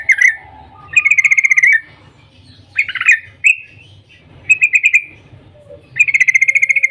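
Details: Morning call of a yellow-vented bulbul meant to stir other bulbuls to sing: rapid ringing 'cuk cuk' bursts alternating with harsher, buzzier notes, ending in a long fast run of evenly spaced notes.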